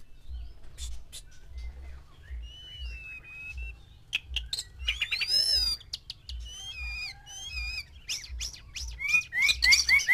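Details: Male white-rumped shama singing to six females to provoke mating: sustained thin whistles, sweeping looped notes and dense chatter building to loud high phrases, over steady low pulsing thumps.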